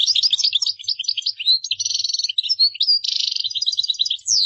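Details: Goldfinch in nonstop qdara song: quick, high, tinkling chirps run into buzzy trills and a dense rattling passage, with fluid twitters continuing for the full four and a half seconds and faint low taps.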